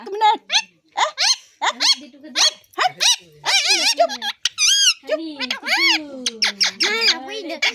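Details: Pet talking parrot, called mitthu, in a small room: a rapid run of squeaky, whistled syllables and harmonic speech-like phrases rising and falling, with sharp chirps between and music behind.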